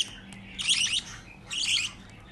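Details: Six budgerigar chicks being hand-fed baby formula give two bursts of harsh, high, raspy chittering as they beg for food.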